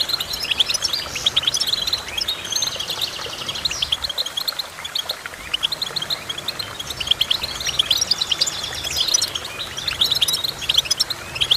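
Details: Goldfinch song: a dense, continuous twittering of quick high chirps and short trills, with bursts of louder, faster notes near the start and again after eight seconds.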